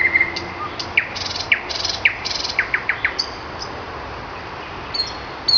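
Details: Common nightingale in song on a May morning, giving a steady whistled note, then rising slurred notes alternating with short rasping bursts, followed by a brief rapid series and high thin whistles.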